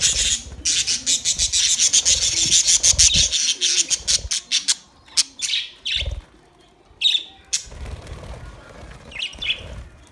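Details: Budgerigars eating soft food together, recorded 3 October 2023: dense bursts of rapid high chirps and clicking pecks for four seconds, then scattered short sharp chirps and a few thuds with quieter gaps.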